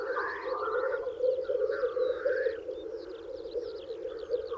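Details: Lekking black grouse males in spring display to females with an even, unbroken low bubbling murmur, joined by high rapid whistled notes from other birds.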